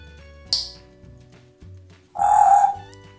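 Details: A pet grey parrot, out of its cage and singing off-key with its owner, gives a quick high squeak, then a loud, nasal, held note of about half a second, like an off-key sung tone, over a low indoor hum.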